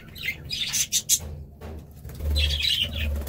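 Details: Budgerigar calls for lonely budgies: a few short, harsh chirping bursts, a brief pause, then a longer scratchy warbling phrase, with steady low hum underneath.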